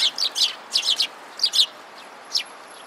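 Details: Sparrows gathered at food and fighting, recorded 25 February 2017: bursts of sharp, high chirps in quick clusters of two to four notes, then a single late chirp, over quiet background.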